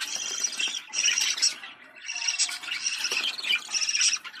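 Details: Budgerigar mating sound used to excite birds into breeding: bursts of busy, scratchy high chatter with brief gaps, mixing squeaks and clicks in a steady rambling warble.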